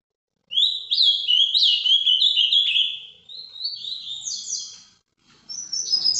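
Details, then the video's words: Ultramarine grosbeak (azulão) in Paraná vinte vinte song style, live: one long rich warbled phrase of rapid up-and-down whistled notes, easing off toward the end, then a short pause and a fresh high burst. "azulão Paraná vinte vinte ao vivo"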